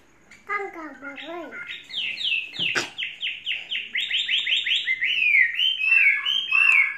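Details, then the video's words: Caged Chinese hwamei, tamed over three seasons, starting with low wavering notes, then a fast rhythmic series of repeated downslurred whistles about three per second, building into rich warbled phrases; one sharp click midway. "Hoa mi hót cực hay"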